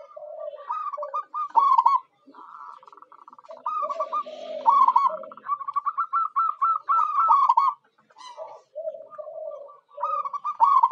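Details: Local perkutut (zebra dove) lure bird: runs of quick staccato coos that rise and hook, repeated in bursts, interleaved with lower softer coos and brief gaps of quiet.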